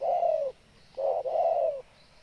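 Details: Spotted dove giving low, soft coos: a long hooting note, a pause, then two joined coos, all steady and mellow with slight falling ends; no other clear sounds.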